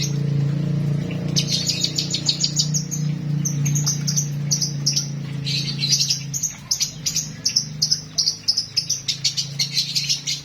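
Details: Lovebird singing a full, rich song repertoire: after a low steady hum, a long run of rapid, shrill high chirps starts about a second in and carries on, closing with sharper, evenly spaced chirps.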